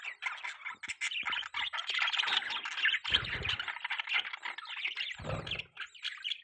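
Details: Continuous budgie warbling: buzzy, twittering chirps delivered almost without pause, punctuated by a couple of brief low knocks.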